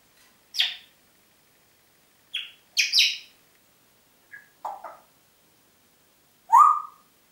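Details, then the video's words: Congo grey parrot, a kept pet, whistling in Diebach near Hammelburg, Germany, April 2012: a scattered series of short whistled notes and harsh chirps, some sliding upward, ending in a louder rising-falling whistle, in a quiet room. "Kongo-Graupapagei pfeift pfeifen"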